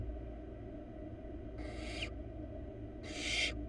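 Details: Wild barn owl nestling in a monitored nest box, giving two harsh, broadband hissing bursts of about half a second each, roughly one and a half seconds apart, over a steady low hum.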